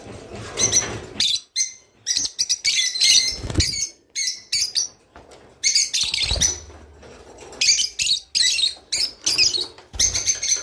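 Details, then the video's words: Java sparrow song, played to birds to stimulate mating: bursts of dry clicks and chipping notes with bell-like tones, broken by short pauses, plus a few low thumps. "تغريد روز / صوت روز/حفزطيورك علي التزاوج"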